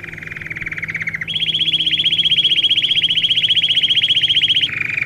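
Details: Domestic canary song played for training young birds: a fast, even rolled trill that steps abruptly up to a higher, brighter rattle held for several seconds, then drops back to the lower roll; faint low hum beneath.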